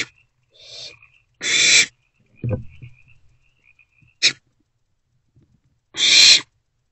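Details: Three owlets in a nest box, April 2024: two loud, drawn-out rasping hisses several seconds apart, with a short faint hiss, a brief click and a low thump from inside the box in the quiet stretches.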